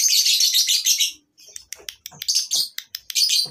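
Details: At a lovebird breeding farm, many lovebirds make a shrill, dense chorus of high chirps, then sharp, scratchy squeaks a few times each second from several birds.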